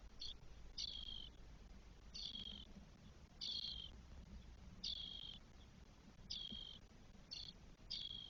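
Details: Twelve-day-old spotless starling chicks, four in a nest in Spain, recorded 1 June 2022. Rough, breathy rasps repeat about every second and a half, with occasional short extra notes and low rumble beneath.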